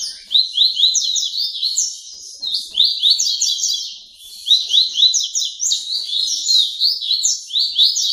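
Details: Double-collared seedeater, a captive bird in Santa Catarina, Brazil, singing tui-tui song at a late hour: loud, dense high-pitched warbling of quick rising and falling slurred notes, nearly unbroken, in fast repeated phrases.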